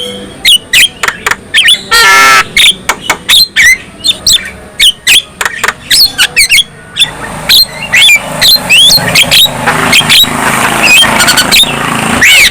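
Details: Harsh, rapid chattering from a Javan myna whose song stirs other mynas to sing and get agitated: dense clicks and squawks, a brief raspy burst, then softer continuous chatter with scattered upslurred whistles.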